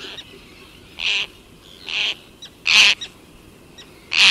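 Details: Roseate tern, a single bird in flight recorded close up, gives harsh, rasping calls, four in about four seconds, irregularly spaced, with a faint distant Arctic tern colony behind.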